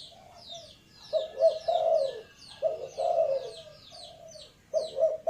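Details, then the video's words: Low, rolling coos from a spotted dove, grouped into two- and three-note phrases with short gaps, over a steady scatter of high, thin chirps from other small birds. "suara tekukur"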